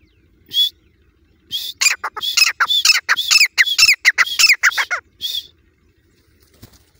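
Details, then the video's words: Grey francolin chicks from Layyah, Pakistan, locally called teetar: a short run of squeaky, falling chirps, about ten clustered notes in quick succession, bracketed by single thin whistles, over a quiet background. "Grey francolin chicks baby teetar"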